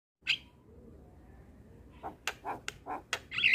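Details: Javan myna master training song with full fill-in phrases: a high squeak, a quiet pause, then a run of harsh clicks and rasping notes ending in a bright squeal.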